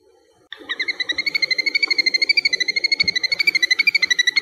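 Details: Little grebe at Dapeng Bay, 22 April 2024, gives a long, high whinnying trill of rapid, even pulses, about nine a second, over a soft low background murmur.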